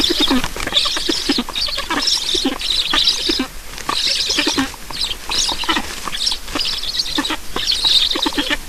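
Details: Black storks at a nest in Estonia during feeding, 9 July 2019 at 7:15, giving a dense run of rapid, harsh, rhythmic pulsed calls that repeat steadily throughout.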